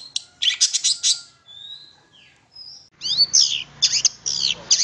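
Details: Long-tailed shrike lure song for making other shrikes sing: a burst of rapid buzzy chirps, then thin drawn-out whistles, then a fast string of arching high notes.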